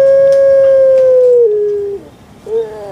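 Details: Puter pelung dove kept as a pet ends a long level coo, which drops in pitch into a lower fading tail, then gives a short wavering note.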